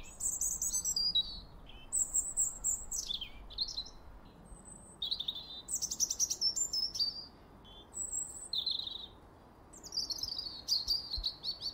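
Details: Male European robin from the UK in full song: a varied run of high, thin, liquid phrases with sliding whistles and rapid trills, separated by short pauses, against faint low background noise.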